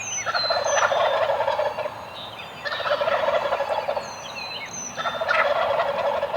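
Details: Morning roost gobbling by Eastern wild turkeys, three strong rolling gobble bursts roughly every two and a half seconds, layered with high whistled calls of other birds.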